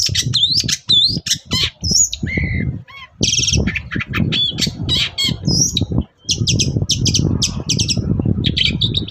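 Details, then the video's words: Lively morning song of a long-tailed shrike, a lure for other shrikes to answer: rich mix of whistled slurs, squeaks, harsh buzzes and rapid chatter in quick succession, with low rumbling noise beneath. "BURUNG CENDET GACOR PAGI HARI BIKIN CENDET MANAPUN LANGSUNG NYAUT"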